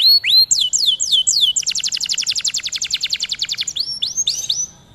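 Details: Canary song for teaching other canaries: a few looping rising whistles, then a long fast rattling trill of even notes lasting about two seconds, closing with rising upslurred whistles.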